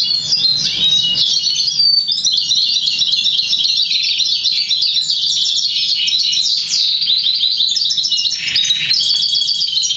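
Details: Song of a crested black siskin × Russian canary mule trained to sing European goldfinch notes: bright, unbroken high twittering with quick trills, repeated rising chirps and liquid phrases, steady throughout.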